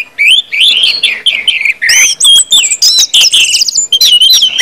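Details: Orange-headed thrush in full 'ngeplong' song, pouring out fast varied whistles, looping slurred phrases and bright chattering notes almost without a break.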